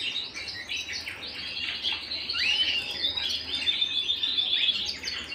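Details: Canary singing at home: quick chirped notes leading into a sweeping rising whistle, then a steady run of fast trilled syllables at a constant high pitch.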